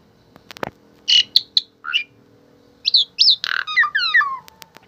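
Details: Mixed harsh squawks and falling whistled notes from a tame Asian pied starling, delivered in two bursts, with a few clicks and light knocking sounds between them.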